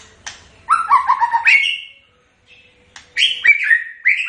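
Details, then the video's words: White-rumped shama giving quick descending whistled notes, a brief pause, then a burst of bright, rising and falling whistles. "Kicauan khas Murai Batu"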